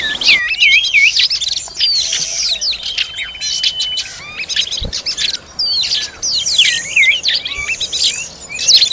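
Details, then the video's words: Oriental magpie-robin feeding its young; wavering looping whistles open the sequence, then a busy mix of sharp chirps, slurred notes and one held tone, with a single thud midway. "Peeking at the Kacer Bird Again Feeding its children"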